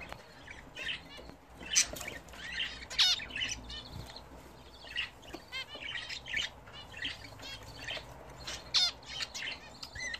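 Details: Several pet budgerigars, kept and bred at home, during their first bath in a new bath: continuous busy chatter of scratchy warbles, with sharp harmonic chirps scattered irregularly over ten seconds.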